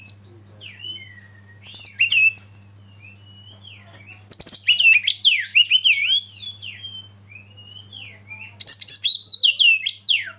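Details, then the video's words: Kacer, or Oriental magpie-robin, used as a lead bird to stir others into singing: bursts of rich, rapidly changing whistled and slurred phrases separated by short lulls, with a constant low electrical hum beneath. "Masteran KACER Pancing Emosi dan bikin gacor yg lain"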